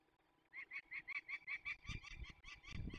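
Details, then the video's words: Peregrine falcon calling during the release of young birds in Poland's Barycz Valley, 27 May 2020: after a brief quiet start, a quick run of about a dozen harsh, nasal repeated notes, with low thuds and rumble near the end. "Sokoły wędrowne Dolina Baryczy (PL) 2020.05.27 - Wsiedlanie młodych sokółów"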